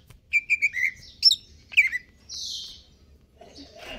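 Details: Caged greater green leafbird in stable condition singing in a fast aggressive style: three quick whistled notes, sharp slurred chips, then a broad hissing sound and faint trailing sounds.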